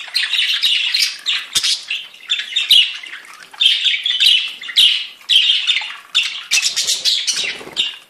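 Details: Group of budgerigars in full song: a dense, chattering warble of grating notes, chirps and squawks, phrases about a second long repeated with brief gaps.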